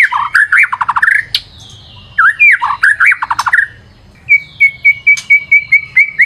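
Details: Lure song of a white-rumped shama with rapid bursts of rich, varied whistles and warbles in two phrases separated by short pauses, ending in a quick, regular train of bright, level whistled notes.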